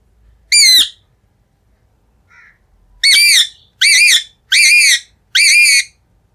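A rose-ringed parakeet gives loud, harsh, grating screeches: one, a pause, then four in quick succession about a second apart. No other clear sounds.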